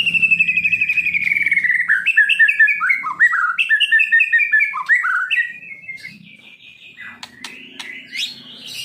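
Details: Kept white-rumped shama, hoped to become a contest singer, gives a descending whistled phrase that breaks into jerky, looping warbles, then quieter scratchy notes and a rising high whistle near the close, over a low hum.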